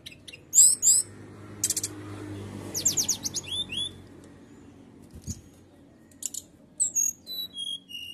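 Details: Canary firing off "nembak" song that agitates rival birds: loud separate buzzy bursts and rising whistles with gaps of quiet, ending in a series of short descending whistled notes.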